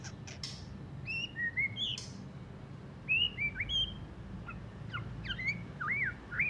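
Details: Recently moulted white-rumped shama in rough twittering song: clear slurred whistles, short rising and falling phrases spaced with pauses, and a few sharp high notes.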